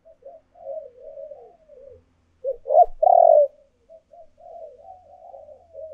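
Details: Urging and calling coos of a spotted dove for luring: gentle, wavering soft coos around a single loud, burry two-part phrase, then more quiet cooing.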